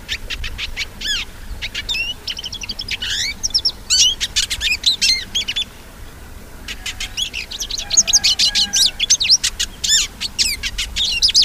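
A hooded siskin sings a fast, high, twittering song of rapid chirps and trills, pausing briefly midway before resuming.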